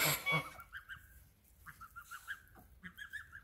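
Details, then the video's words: Goose honks in short strings of two or three, nasal and mid-pitched, after a loud burst of noise at the start. "Nice geese"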